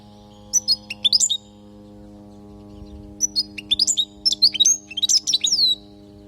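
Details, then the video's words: Goldfinch recorded in Palestine singing a 'lugha' teaching song for fledglings: rapid, liquid chirps and trilled twitters in two dense phrases with a pause between them, over a steady low electrical hum. "حسون لغة للتعليم"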